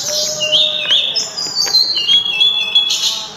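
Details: Sulingan, or mountain tledekan, singing a continuous run of shrill, sweet whistled notes that hop between pitches, some held and others trilled, with a steady low tone underneath.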